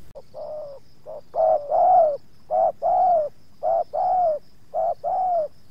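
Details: Luring spotted dove in Subang confronting wild doves, the second wild bird resisting a little. Steady series of mellow coos, a clipped note followed by a longer slightly falling one, pairs roughly each second, faint high electronic whine behind.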